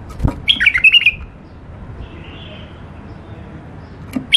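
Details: Caged tame bulbul gives a quick burst of chattering, warbled notes lasting half a second, then goes mostly quiet apart from a faint soft note, with another sharp call starting at the end.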